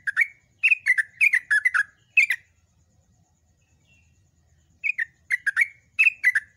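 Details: Yellow-vented bulbul, a loud calling bird giving long songs, sings two bursts of quick, bubbly chortling notes, each a rapid run of short liquid phrases, separated by a pause of about two seconds.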